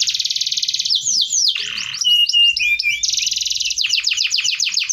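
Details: Canary singing a dense rolling song used as a tutor recording: a fast buzzy trill, then looping downslurred whistles and a low churr, another rapid trill and quick repeated upswept notes.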